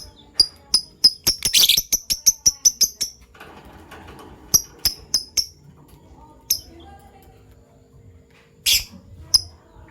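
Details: In the morning, caged Fischer's lovebirds of violet and gold opaline colour forms give a fast run of about a dozen sharp high chirps, then scattered chirps in short groups and a harsh burst near the end.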